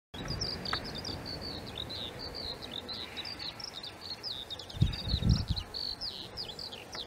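A Eurasian skylark pours out a long, unbroken stream of high, rapid chirps, trills and slurred whistles, with steady wind rumble and a brief gust or thump near the end.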